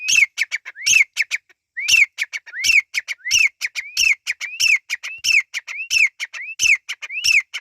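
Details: Irani teetar partridge chicks calling: a rising slurred whistle followed by a burst of sharp clipped notes, the phrase repeated steadily about every two-thirds of a second throughout, loud and clear against a silent background.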